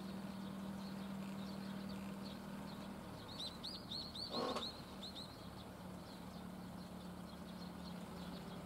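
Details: Black-winged stilt giving a rapid series of short, sharp, high yapping notes, about four per second for roughly two and a half seconds, over steady low hum and a brief loud noise midway.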